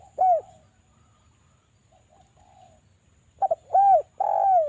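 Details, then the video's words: Spotted dove cooing as a lure to set other doves calling: one clear falling coo, a soft quiet phrase, then a fast double note followed by two loud drawn-out coos, over a faint constant hiss. "DERKUKU JAWA suara rapat TAJAM,pancingan agar BUNYI jadikan burung DERKUKU BUNYI GACOR NGALAS"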